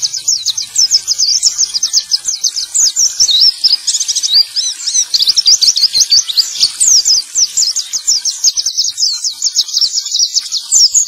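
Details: Male white-eye song used to spur other birds that have stopped singing: a dense, continuous, high-pitched torrent of fast chirps and twittering trills for the full length, with faint background hiss.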